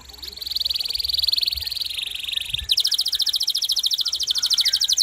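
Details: Actively singing canary used as a tutor recording for training other songbirds: a long, steady high buzzy trill, then a faster, louder rolling trill of rapid repeated notes, about three and a half per second.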